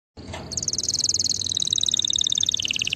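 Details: Singing canary: after a brief onset, a fast rolling trill of high notes starts near the top of the range and slides gradually downward, each note repeated several times a second with steady loudness.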